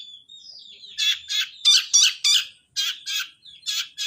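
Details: Long-tailed shrike, fighting, sparrow-voice (suara gereja) song: a thin whistled glide, then harsh chirps in bursts about three per second, with short pauses between.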